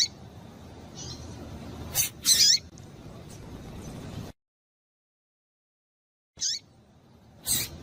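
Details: Calls of a female double-collared seedeater, used to stir up a male: a few brief, piercing high notes, one with a falling tail. A low background hum runs throughout, then the sound briefly cuts to silence.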